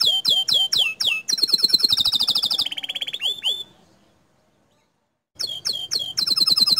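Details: Canary song in gacor dor style with looping sweeping whistles, a rapid rattling high trill that drops in pitch, about one and a half seconds of silence, then repeated swoops again.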